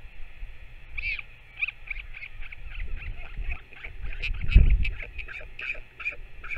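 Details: Northern royal albatross at the nest on 21 May 2024 while a parent feeds its chick: a rapid, uneven stream of thin squeaky notes, about four per second, continuing throughout, with a brief low thump and steady background rumble.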